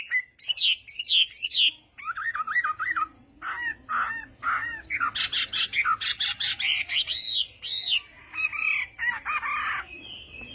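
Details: Chinese hwamei singing in a contest-style morning voice-training session: loud, varied whistled phrases, slurred notes and rapid trills tumbling between mid and high pitch, in bursts separated by brief pauses.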